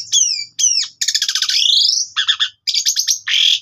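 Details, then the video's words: Asian pied starling lure song for training: two arched whistles, then a long buzzy rattling trill, harsh bursts and a final rasp, clear and close. "PANCINGAN JALAK SUREN GACOR FULL ISIAN"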